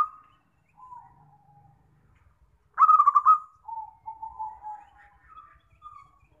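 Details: Zebra dove calling, used as a trapping lure. Soft lower coos lead into one loud rapid pulsed burst, then a run of quieter descending and rising cooing notes, no other sounds.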